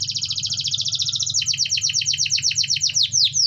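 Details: Canary in rolling song used to stimulate other canaries into singing: a rapid high trill of dense repeated notes that shifts into quick downward-sweeping whistles, ending in a few longer swooping slurs.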